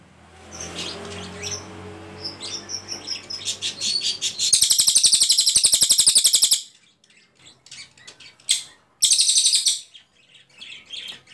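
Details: Ashy Tailorbird (cililin) singing in long bursts for training other songbirds: soft chirps lead into a two-second rapid high buzzy trill of evenly repeated notes, quiet gap, then a shorter repeated burst and scattered chirps.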